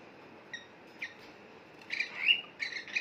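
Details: Two pet cockatiels bathing in a big bowl of water: a few isolated thin chirps, then a denser burst of sharper, slightly squeaky notes toward the end.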